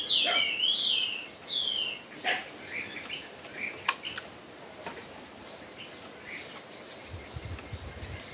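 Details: Chinese hwamei singing in a forest-style voice: a few loud whistled, slurred phrases in the first two seconds, then quieter scattered notes over faint background noise.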